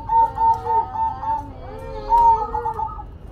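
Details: Zebra dove (perkutut) cooing in two bursts of rapid, mellow, slightly wavering notes, the first of about five quick coos, then a pause and a louder rolling phrase.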